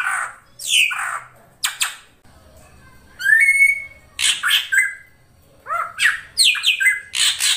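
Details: Ashy drongo: a loud downslurred squawk and rasp, then a rising whistle levelling out, followed by runs of harsh buzzy notes and short whistles.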